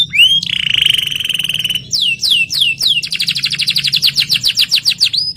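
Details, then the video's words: Canary singing to encourage a stressed, silent canary: a rising whistle opens a long rapid pulsing trill, then clear downward-swooping notes and a quick series of high rolling chirps. "BIKIN KENARI STRES MACET BUNYI JADI GACOR | CANARY SINGING"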